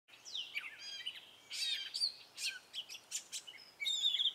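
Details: Male gray catbird singing in spring: a rapid, varied jumble of short chirps, squeaky whistles and scratchy notes, some phrases repeated, with slight pauses between bursts.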